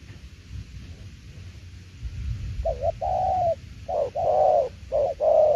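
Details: Spotted dove performing đồng tiểu liên nước cooing: after a couple of seconds of low background noise, paired coos begin, short wavering notes leading into longer rounded ones, growing faster toward the end.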